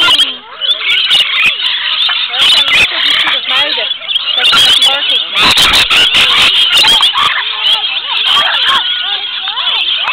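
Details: A dense flock of rainbow lorikeets being fed at Currumbin sanctuary on the Gold Coast, Queensland, keeps up constant, high, harsh screeching and chattering, with human voices murmuring underneath.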